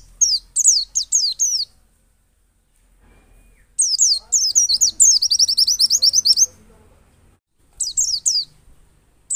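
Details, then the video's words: White-eye (pleci) from Pacitan, Indonesia, singing a lure song meant to get other white-eyes to open their beaks and sing: rapid bursts of high, sharp, downslurred chips, an opening volley, a long dense rattling run, then a short final burst. "pleci dakun Pacitan ngalas dan nembak || Pancingan pleci agar buka paruh."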